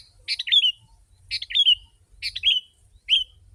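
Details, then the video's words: Sooty-headed bulbul, used as a lure for wild birds, delivering four throaty, bubbling song phrases roughly one second apart, each a tight jumble of notes closing with a short downward slur. "Kutilang si.ladusing super gacor suara rapat menekan burung liar"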